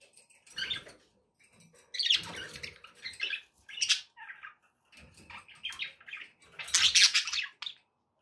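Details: Pet budgerigars chattering, offered to encourage a parrot to eat and sing; dense raspy warbles and squeaky chirps mixed with soft rustling and low thumps.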